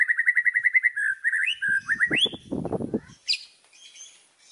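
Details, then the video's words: White-rumped shama isian: a fast string of clipped whistled notes, a few rising slurs, then a burst of low rustling noise and one sharp high note. "BURUNG MURAI‼️ SUARA ISIAN KUMPLIT"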